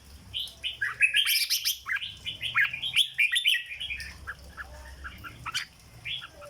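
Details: Caged red-whiskered bulbul singing the legendary flower style, 'rong dok': a dense, fast run of chirpy, slurred whistles that thins out into sparse single notes.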